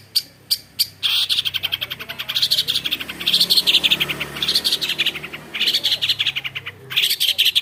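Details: Long-tailed shrike (cendet), a clever bird able to imitate many other birds' voices, delivering a fast, vigorous chattering song: dense runs of sharp, high clicking notes in bursts, with brief pauses between phrases and a low steady hum behind.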